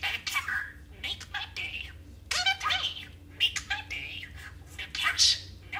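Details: A talking budgie, male parakeet kept at home, rattles off imitated quotes and garbled phrases in rapid, raspy, voice-like chatter with warbling rises and little clicks, almost without pause.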